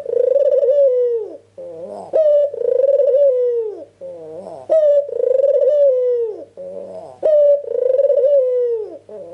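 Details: Vigorously calling ringneck dove, recorded as a lure to draw replies from other doves: drawn-out, mellow coos that dip gently at the end, alternating with brief upward-sliding notes, about every two and a half seconds, low hum underneath.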